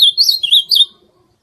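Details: Ultramarine grosbeak song fragment: three bright, slurred whistled notes in under a second, the middle one slightly lower, then silence.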